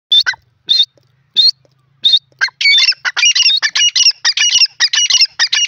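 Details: Male grey francolin: a few separate high squeaky notes, then a fast, loud run of harsh, rasping, ringing phrases repeated nearly two per second.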